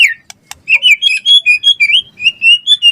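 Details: Bright White-rumped shama song after two sharp clicks: a string of clear, lilting whistles that rise and fall in an even rhythm, roughly three to four notes per second.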